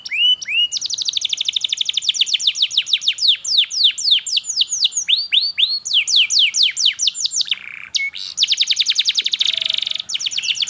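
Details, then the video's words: A canary sings continuously as a training lure for juvenile canaries learning song and as therapy for birds that stopped singing: long chains of fast downswept notes, rapid trills, a short buzzy burst near the end. "KENARI GACOR PANJANG Cuit Cuit EMOSI, Pancingan Kenari Paud Belajar Bunyi"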